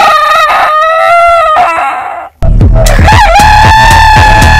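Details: Roosters from a compilation of long crowing heritage breeds: a sustained harmonic crow wavering then fading, a short gap, then another loud crow beginning over a rough, noisy low rumble.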